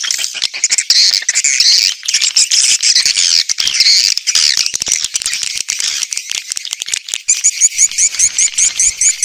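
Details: Very high, hissing twitter from a crowd of swiftlets, recorded as a lure sound for outdoor and indoor speakers; buzzy chatter rises and falls, ending in a quick series of sharp repeated chirps.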